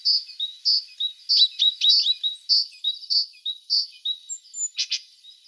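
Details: Tit song as a steady string of high, clear piping notes and short slurred chirps, about two per second, ending with a brief harsh double burst.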